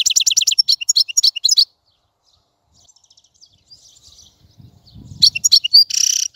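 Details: European goldfinch twittering in fast repeated notes, a silent gap with faint soft sounds and a low thud, then more chirps and a short buzzy trill.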